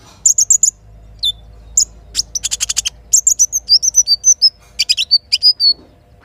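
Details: Morning little spiderhunter song with kinin fill-in, meant to provoke singing: bursts of sharp high clicks, then a run of repeated upslurred whistles and quick chirp clusters against near silence.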